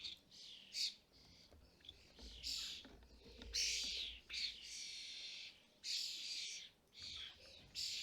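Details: European starlings at a UK garden feeder during fledgling season, adults bringing food to young: strident, buzzy screeches rise and break off in irregular bursts, some sharp and short, others drawn out.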